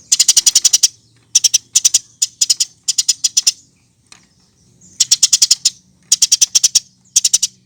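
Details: Eurasian tree sparrow chattering as a singing lure: repeated clusters of five to eight fast, piercing chirps, each cluster under a second, coming steadily with short silent breaks.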